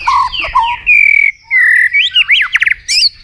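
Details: White-rumped shama, a fighting song meant to provoke a rival, given as a varied run of loud whistles, slurred notes and rapid clipped chips that shift between phrases, with harsh squawk-like notes near the start.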